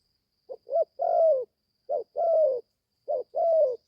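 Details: Young spotted dove that has only just begun calling, taken to the forest for training for the first time: three low cooing phrases, each two short soft notes then a long, falling coo, repeated about every 1.3 seconds in quiet surroundings.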